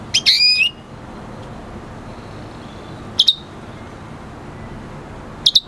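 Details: Singing red hooded siskin × canary F1 hybrid gives a loud rising whistled note with a buzzy edge, then short paired high chirps at intervals of about two and a half seconds.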